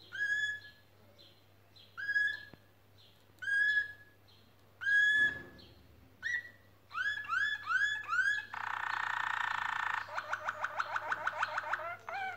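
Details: Canaries building a nest and singing: spaced clear whistled notes arrive every second or so, then quicken into clustered rising-falling notes, a harsh buzzy burst, and a rapid pulsed trill.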